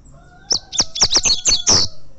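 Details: Champion tournament double-collared seedeater (coleiro) in a spirited competition class, delivering a quick series of about seven sharp, high chipped notes over little more than a second, with a faint steady low hum behind.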